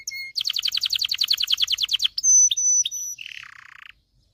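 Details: Canary song meant to stimulate the male and excite females toward mating: a rapid pulsed trill for two seconds, then long high whistled notes, closing with a lower buzzy phrase that fades out.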